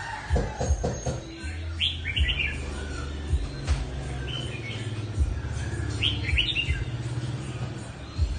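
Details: A mutant red-whiskered bulbul singing gives two short, bright warbled phrases a few seconds apart over a steady low humming drone, with faint clicks and rustling.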